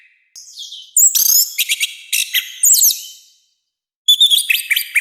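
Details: Orange-headed thrush singing loudly with a rough voice: thin high whistles, then dense harsh chattering phrases, a short silence, and a final burst of quick clear notes.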